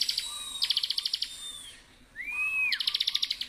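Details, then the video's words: A bar-winged prinia in full song gives rapid, buzzy trills of repeated high notes in bursts, broken by a long rising-then-falling whistle. "ciblek gacor full.. ngebren"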